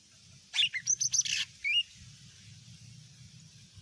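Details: Short burst of greater green leafbird (cucak ijo mini) lure song intended to make other birds respond: about a second of rapid, very high chirps and whistles, followed by one rising whistle, then low background hum.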